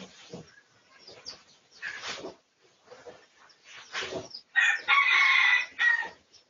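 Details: Red junglefowl, pradu colour variety, recorded for research on 18 August 2023; soft clucks and brief rough calls lead into a loud broken crow near the end, a short burst then a sustained harsh note.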